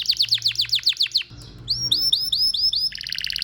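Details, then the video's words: Male domestic canary, a pet form of the wild canary, singing: a run of fast descending whistled notes, a short pause, then a series of rising slurred whistles and a quick trill, with faint low hum beneath. "Canary Singing birds sounds at its best | Super Melodies Canary Bird song"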